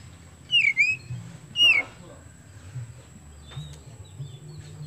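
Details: Oriental magpie-robin of the kemben type, singing to encourage other birds: two loud slurred whistles, each dipping then rising, about one second apart, followed by faint scattered high notes and low background hum.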